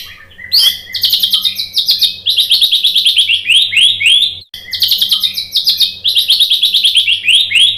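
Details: White-rumped shama song for baiting a reply: fast, high, repeated trilled notes in continuous bursts, with a brief break partway through.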